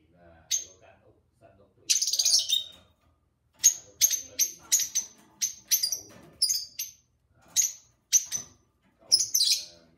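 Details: Two pet lovebirds chattering and singing together: bursts of sharp, high, bright chirps, some single and some in quick rattling runs, spaced about every half second to second, with a soft low voice murmuring faintly underneath.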